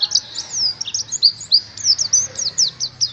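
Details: Oriental white-eye song meant to stimulate caged birds into singing; high, thin notes swooping up and down in a fast, tumbling, slightly irregular warble.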